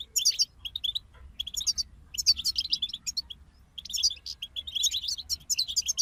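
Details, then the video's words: European goldfinches singing together: energetic, jangling twitter phrases with buzzy trills and sharp chips, delivered in repeated bursts roughly every second, high-pitched and lively, with a quiet low hum behind. "King of Songbirds Goldfinch Group"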